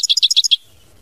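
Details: European goldfinch singing in the mama binette song style: five bright, high chirps in quick succession over half a second, the last drawn into a short thin whistle, then quiet.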